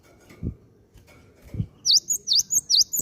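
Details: Cinereous tit lure call meant to get other birds singing: after two soft low knocks, three shrill flicking chirps arrive in quick succession at the end.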